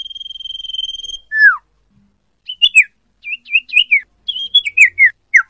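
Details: Common iora sounds used as a lure for bird trapping: a high trilled whistle ending in a steep falling note, then a run of varied short whistled chirps, some rising and some dropping, in quick succession.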